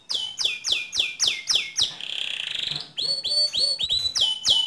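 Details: Canary song to stir another canary into singing: a run of sharp descending whistles, a buzzy rolled trill, then more slurred whistles in quick succession.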